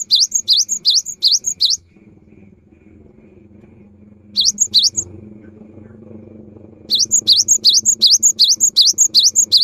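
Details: Lively cinereous tit song meant as a rainy-season lure: bursts of repeated dipping-and-rising whistled notes paired with thin high notes, about eleven in the last burst, separated by pauses with a soft low background rumble.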